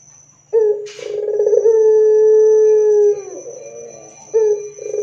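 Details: Barbary dove singing loudly as a lure to get other doves calling: one drawn-out coo with a trilled start and a level, sustained low note lasting over two seconds, a soft wavering murmur afterwards, then another coo beginning.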